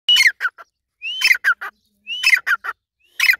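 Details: Irani teetar, a grey francolin, calling loudly: each phrase opens with a rising whistled note followed by a burst of harsh, ringing syllables, repeated about once a second with clean silence between.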